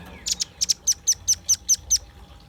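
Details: Velvet-fronted nuthatch in full song, recorded for use as a lure and tutor for other birds: a rapid series of about nine sharp, very high chipping notes, evenly spaced roughly five per second, with a quiet background.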